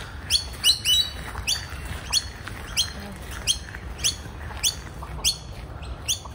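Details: Two young magpies at a morning feeding after being caught in the rain: short, squeaky, upslurred calls with bright harmonics, repeated irregularly about every half second over a steady low rumble.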